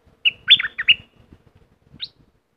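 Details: Streak-eared bulbul from southern Thailand delivering a bubbly four-chirp phrase, then a single short rising note a second later, with soft low taps beneath.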